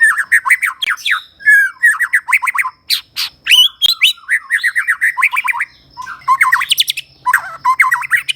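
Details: White-rumped shama of the Medan type in full song: rapid, varied whistled phrases and sharp chattering notes, rising and falling glides, delivered in dense bursts with brief pauses.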